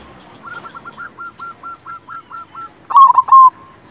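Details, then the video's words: Actively singing silver zebra dove, a local perkutut: a steady run of about eleven short, even coos in quick succession, then a loud, rolling, trilled phrase ending in a held note. "Perkutut silver gacor Jagonya Mengundang Bunyi"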